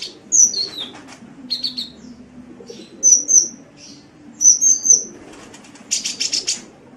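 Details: Sunbird, a masteran recording for training caged songbirds, singing vigorously: sharp high whistled chirps and short descending notes in loose bursts, ending with a dense buzzy chatter, over a steady low hum.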